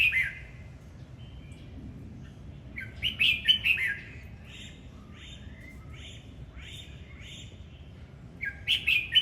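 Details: Red-whiskered bulbul in its singing dance: a warbled phrase, then a rich burst of quick liquid notes, a run of fainter slurred whistles, and a final bright phrase.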